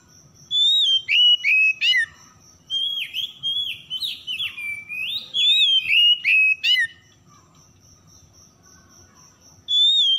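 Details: Oriental magpie-robin song used as a lure to make stressed birds that have stopped singing start singing again; loud whistled phrases rising and falling, bursts of short repeated notes, with a steady high whine running underneath.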